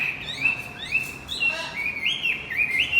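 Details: Javan white-eye male song, played to coax a stalled male into singing. A continuous, high twittering chatter of quick upslurred and downslurred chirps.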